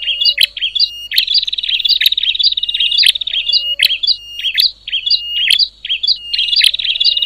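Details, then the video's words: Rapid, scratchy high chattering of a bar-winged prinia, noisy calling said to unsettle other prinias, with steady trills interrupted by sharp clicking ticks and clusters of short whistled notes. "Suara ribut burcil prenjak,bikin geger prenjak lain"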